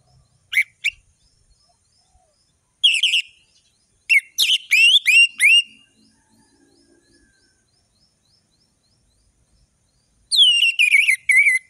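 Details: Orange-headed thrush in full, richly varied 'ngeplong' song, used as tutor song for young thrushes: short, sharp whistled and twittering phrases at high pitch, separated by pauses of one to several seconds.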